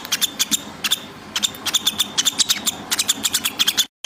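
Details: Morning bird calling with sharp, high squeaky chirps repeated rapidly and almost continuously for several seconds, in brief clustered runs that end abruptly, with no other sounds.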